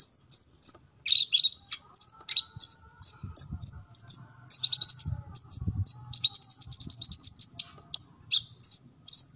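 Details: High twittering song of a kolibri ninja sunbird, recorded as full-repertoire material for training captive birds. Squeaky chips and a swift ticking trill mix with short dropping notes, with some faint low rumble.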